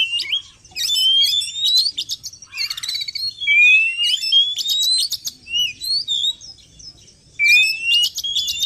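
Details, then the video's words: Oriental magpie-robin sound played as a lure to pull wild birds near: clear upslurred whistles repeated among harsh buzzy and clicking notes, with brief gaps between phrases. "SUARA PIKAT BURUNG KACER 100%AMPUH"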